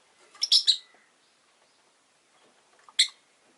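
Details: Rosy-faced lovebirds with orange faces and green bodies, five kept in a cage by a window, give a rapid cluster of three harsh, high chirps, then a single sharp chirp about two and a half seconds later.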